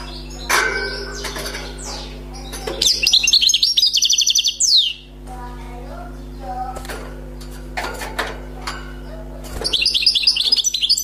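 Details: Wild European goldfinch, freshly caught, delivering bursts of fast, high-pitched twittering song with liquid trills and buzzy slurs, separated by clattering noises; a second twittering burst closes the recording.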